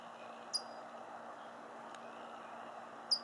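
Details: A California towhee near the Suisun marsh in Fairfield, California gives two sharp, high metallic chinks about two and a half seconds apart over a steady low hum.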